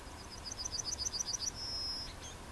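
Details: Yellowhammer song from Plochocin, July 2013: about a dozen evenly spaced high, pipping notes speeding along, then a prolonged level whistle, over quiet rural background noise.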